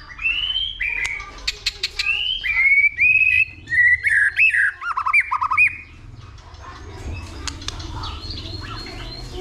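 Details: White-rumped shama fighting song, stimulated by a female: a run of clear whistled slurs rising and falling, repeated about twice a second, then softer chatter.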